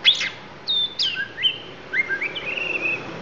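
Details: Oriental magpie-robin, Lampung type, bringing out isian phrases: loud opening note, then clear whistled slurs stepping down and up, ending in a wavering sustained whistle.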